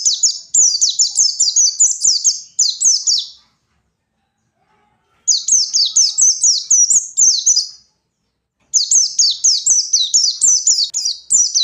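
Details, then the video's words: Wild white-eye singing in the forest to provoke rivals: three bursts of rapid, high, twittering song, each about three seconds of quick descending slurred notes, separated by short silences. "Suara burung pleci gacor paigter ngalas mancing lawan"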